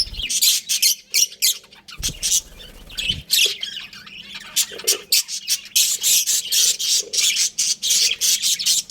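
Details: Breeding pair of pet budgerigars chattering loudly; fast run of raspy chirps, roughly three or four a second, with a couple of low thumps early on.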